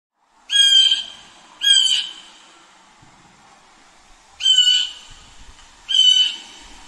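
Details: Blue jay giving four harsh, nasal, buzzy jay calls, each about half a second long and slightly falling, delivered as two pairs separated by a pause of over two seconds; quiet background.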